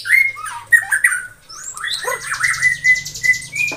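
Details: Morning white-rumped shama song aimed at rivals: clear slurred whistles, a dipping note, then steady repeated whistles alongside a fast high buzzy trill.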